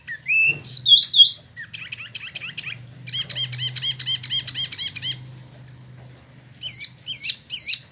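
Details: Caged Spot-throated Babbler in Bandung, a year in care and freshly moulted, singing 'ngeroll': upslurred whistles, a dense chattering run of repeated looped notes, then three loud curling whistles.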